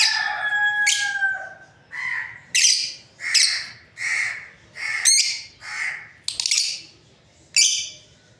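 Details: Lovebirds, a breeding pair, chirping steadily: a long thin whistled note opens, then a rapid series of short harsh chirps and squeaks, roughly one every second, loud and close.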